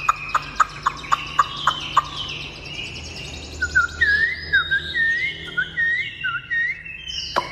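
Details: A Chinese hwamei, fully tame and singing steadily, gives a row of sharp evenly spaced clicks, then a series of short clear whistles that dip and rise.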